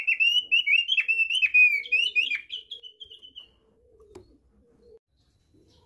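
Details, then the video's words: Thick-billed white-eye (opior) from East Nusa Tenggara (NTT) giving its basic song: a rapid, warbling run of high, slurred whistles for about three seconds, then quiet, with a faint low hum behind. "KICAU DASAR OPIOR PARUH TEBAL"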